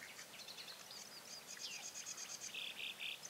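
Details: Bearded tit fledglings of 2017 give quick, jumbled pinging chatter, followed by three harsh buzzy notes in a row near the end.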